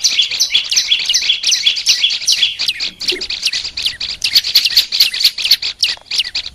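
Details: Song of the olive-backed tailorbird for training: a steady chatter of high chirps, then a run of clearer piercing notes repeated evenly in the second half.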